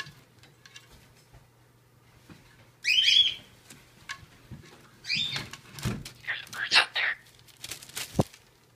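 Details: Shadow, an 8-year-old anxious male Citron-crested cockatoo, gives a harsh, raspy burst and then scratchy, speech-like squawks, using his made-up word "scare-ow" for something scary, apparently a crow outside, with quiet human voices behind.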